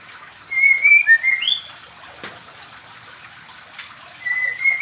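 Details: Medan-type white-rumped shama kept in a small aviary while being paired, singing bright whistled phrases with quick upward slides, then a pause with a sharp tap and a final rising whistle, over steady hiss.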